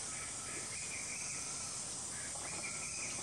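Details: White-gorgeted flycatcher of subspecies leucops at Doi Lang, Thailand, in February or March; thin, high whistled phrases of slurred notes in two bursts, set against a loud, constant wash of insect buzzing.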